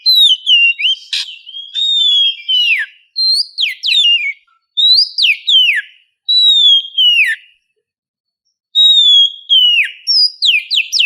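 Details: Oriental magpie-robin female in heat, calling a male at morning: loud, rich whistled song of repeated downward-slurred phrases with sharp upswept notes in bursts, one brief click, then a pause before more phrases.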